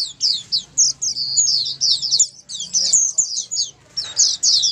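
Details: White-eyes singing in a group, intended to make silent white-eyes join in; loud, clear, high chirping phrases come in rapid bursts, with a brief lull near two seconds and another near four.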